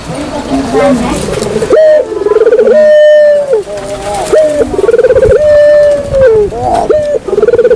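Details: Barbary dove lure call for luring birds: loud, steady, flat coos broken by rapid rolling trills, each phrase lasting about a second, with a few sharp pitch steps between phrases.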